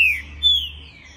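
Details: A green-winged saltator gives a brief "pampo"-type song fragment: a short falling whistle, then a longer clear note sliding gently downward, over a faint low hum.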